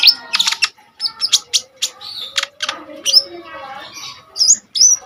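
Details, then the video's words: Common iora song in fierce bursts, intended for training other caged songbirds; rapid scratchy chirps and buzzy notes, with a few looping upslurred whistles near the end. "KONIN GACOR FULL TEMBAKAN SADIS"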